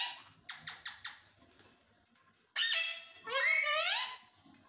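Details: Indian parrot speaking in a small room: four quick clicking notes, a pause, then loud, harsh, speech-like phrases with wavering, layered tones.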